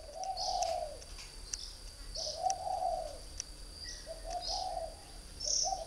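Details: Spotted dove, a northern Vietnamese caged bird from a breeding aviary, kept three years as a decoy: low cooing phrases of two to three notes, repeated about every two seconds, with steady high insect-like hiss and faint chirps.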